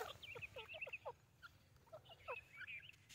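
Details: White teetar, a francolin: a quick run of short, bright chirped notes, each sliding downward, several every half-second with fainter overlapping notes, over a low steady hum.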